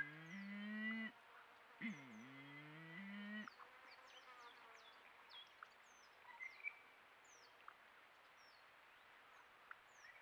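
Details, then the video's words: Malleefowl, male and female calling at Patchewollock Conservation Reserve, Victoria: deep, resonant, droning notes with stacked overtones, one short phrase then a longer dipping one, ending after three seconds; afterwards small birds chirp and twitter high above. "Both male and female Malleefowl calls"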